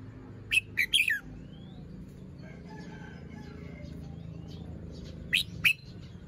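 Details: Red-whiskered bulbul kept as a cage bird, singing in the morning while moulting with fluffed feathers; a fast cluster of bright, slurred whistles opens, faint distant chirps follow, and two sharp notes return near the close.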